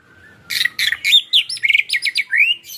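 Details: White-rumped shama song in the ketrekan style, used as a lure to stir other shamas to sing out their full repertoire. Brief quiet lead-in, then a quick run of sharp chirps and short whistled slurs, ending on a rising whistle.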